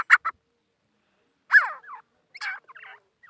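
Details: Native grey francolins, two females and one male, calling together. Loud, harsh, grating notes come in short groups separated by silences of about a second, with some notes sliding downward.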